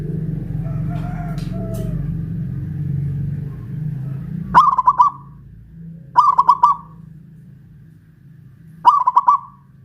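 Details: Caged local zebra dove of Pajajaran stock, Kuningan, West Java, singing loudly while raised on a hoist pole: three rolling, stuttered coo phrases a few seconds apart, after some faint distant bird notes and a low rumble.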